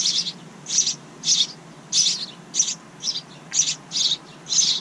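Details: Nestling house wrens in a backyard bird house, the pair's second family of the year, make a steady series of raspy, high, hissing bursts. Nine bursts come in about five seconds, at an uneven but insistent pace.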